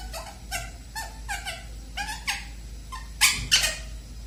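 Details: Pet bird making fresh sounds in its cage at bedtime: a run of rhythmic, nasal squawks roughly every half second, ending in two louder, harsher bursts, recorded in a small room with a faint hum.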